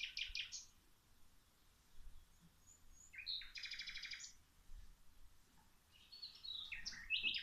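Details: Outdoor birdsong during garden watering: separate bursts of sharp, high chirps and a buzzy trilled phrase, with quiet gaps between them.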